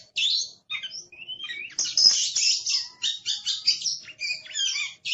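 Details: Aggressive caged Oriental magpie-robin singing a rapid, noisy song of high scratchy chatters, buzzes and short whistles, closely packed with brief pauses between bursts.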